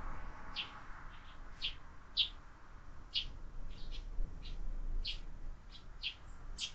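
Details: Year-round window feeder busy with sparrows and a growing number of fledglings; a lively run of about a dozen quick, high chirps, some overlapping, over steady low-pitched background noise.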